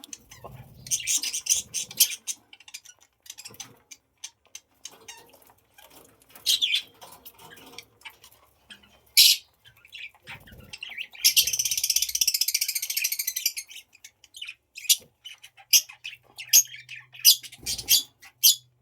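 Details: Pet budgerigars in breeding time chirp in quick, scratchy bursts, with a longer warbling chatter in the middle.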